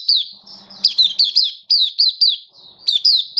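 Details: Mata puteh, or oriental white-eye, singing happily in open 'buka' style as a song display on 24 February 2023; rapid high twittered notes with sharp down-curves, grouped in short runs, a faint low tone briefly underneath.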